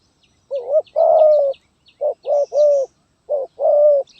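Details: Zebra dove, 'gagap tindan' (sepatah) style, 23 January 2022: paired short and long trilled coos in repeated phrases, while faint high chirps from small birds sound in the background.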